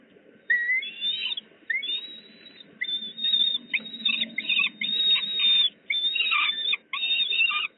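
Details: Peregrine falcons at a Veolia site in Poznań, Poland, recorded 8 July 2020: loud, drawn-out whistled wails, each lasting roughly half a second to a second, repeated in a steady series with short gaps and a low murmur beneath.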